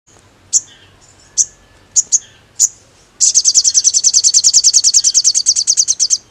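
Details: Crimson sunbird (sogon) lure song, a lively ngkleper style used to provoke other sogons into anger: several isolated high sharp chips, then a fast, steady, very high buzzy trill of rapid repeated notes lasting three seconds.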